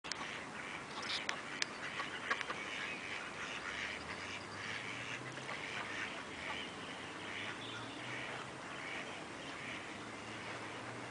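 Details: Black swans (Cygnus atratus) at Velserbeek give soft, wavering honks and bugling notes over a steady murmur of waterfowl chatter, with a faint low hum beneath.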